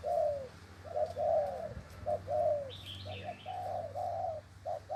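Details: Spotted dove with a red-legged caged turtle dove type named in Vietnamese, giving repeated low mellow coos in short phrases, about one per second, with a brief higher chirping bird in the background.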